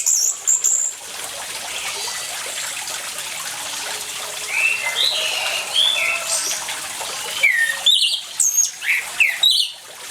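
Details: Orange-headed thrush in full song over steady running water: high whistled and slurred phrases, some dropping in pitch, given in bursts mid-clip and again near the end.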